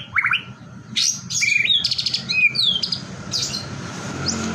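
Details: Short burst of white-rumped shama provocation song meant to make other shamas sing: quick high chirps, buzzy trilled notes and sharp rising whistles in a jumbled, excited sequence.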